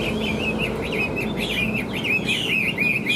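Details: Chinese hwamei of large build with yellow legs and bill, kept in a cage, in full song: rapid looping whistled phrases tumbling up and down, steady and unbroken, over a low background rumble.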